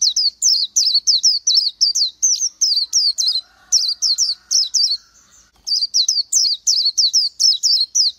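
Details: Oriental white-eye, a small green-backed bird with a white eye-ring and yellow throat, singing a fast run of high, thin, wavering whistled notes, about three per second, with one short pause midway.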